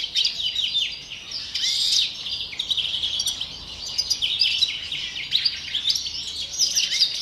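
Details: A European greenfinch sings before the breeding season, pouring out busy high chirping twitters with a few quick rising and falling notes and short trills, dense and continuous from start to end.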